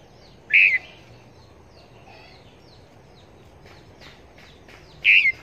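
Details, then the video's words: Decoy Red-whiskered bulbul for trapping near Long Thành utters two loud, short, slurred notes about four and a half seconds apart, with faint chirps of other birds between them. "Chim Chào Mào Mồi Bao Dẫn Đi Bẫy"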